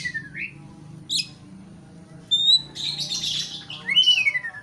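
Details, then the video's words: Oriental magpie-robin song intended to provoke a rival: a rising slurred note, a short sharp burst, then a thin level whistle, a grating chatter and a long descending whistle, with a low hum throughout. "pancingan kacer emosi supaya lawan cepat ngotot/ emosi"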